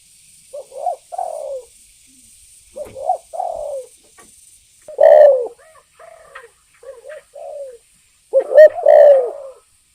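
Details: Spotted dove calling, used as a lure to provoke other birds to call. Soft, low, mellow coos come in short two- and three-note groups with gaps between them. Louder, fuller coo phrases sound near the middle and at the end, over a faint steady high hiss.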